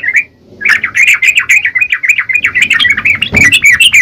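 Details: Yellow-vented bulbul singing hard, a single opening note and a pause, then sustained rapid, lilting chatter; a soft knock is heard partway through.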